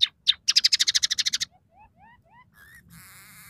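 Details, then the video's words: Scaly-breasted munia singing a varied song filled with mimicked house sparrow, red siskin and canary notes. Two sharp chirps lead into a fast dry trill, then soft rising slurs and a wavering buzzy note over faint background hiss. "suara burung emprit peking gacor dengan tiga variasi lagu"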